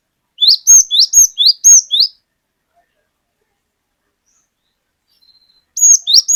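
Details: Cinereous tit (glatik batu) lure song, long 'wucit wucit' pattern: four loud, high notes repeated about every half second, each rising then dropping sharply. A long silent gap follows before the phrase starts again.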